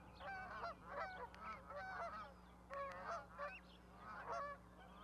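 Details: Goslings with a parent goose on a Charlo, Montana osprey nest platform, May 12, 2020; bursts of rich, layered peeps arriving in small groups roughly every second, separated by brief pauses.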